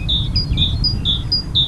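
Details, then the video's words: Adult great tit singing on a power line: clear, whistled two-note phrases, high note then lower note, repeated roughly every half second, over steady low rumbling background noise. "Great tit singing on power line"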